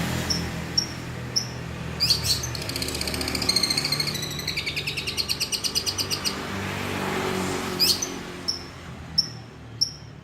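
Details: Long-tailed shrike mimicking a lovebird, giving scattered sharp high chips, then a dense burst of rapid, shrill chattering notes for about four seconds, followed by more isolated high chips; steady low rumble behind.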